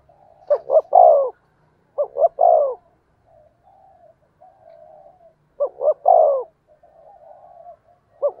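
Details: Spotted dove giving its carrying coo, used to call wild doves closer; short stuttered notes run into a long descending coo, with soft faint cooing from another dove between the loud phrases.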